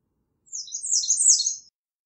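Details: One sibilant American redstart song phrase, very high and rapid, with notes blurring together as it rises in volume before stopping abruptly.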